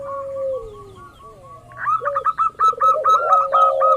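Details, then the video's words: Local zebra dove used as a lure to get other doves calling. After a faint, drawn-out low coo come rapid, bubbling staccato coo notes, evenly repeated in quick bursts. "pancingan burung perkutut lokal ampuh , perkutut lokal jago memancing lawan bunyi"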